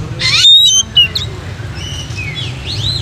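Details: Oriental magpie-robin song, described as spirited and used to train other magpie-robins' mentality and get them singing: a harsh buzzy burst, then a clear high whistle and scattered sliding notes over a steady low hum.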